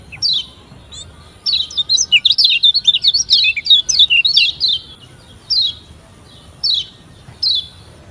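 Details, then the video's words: Lombok white-eye (kecial kuning), used as a lure call for beginner birds, sings a quick run of high, thin twittering notes, then a few separate sharp chirps about a second apart. "PANCINGAN Kecial Kuning PEMULA‼️Biar CEPAT GACOR‼️"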